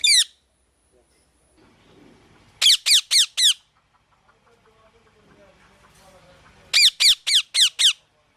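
A parrot gives loud, harsh chirps in quick bursts of four or five, each note sliding downward, with a quiet pause between bursts.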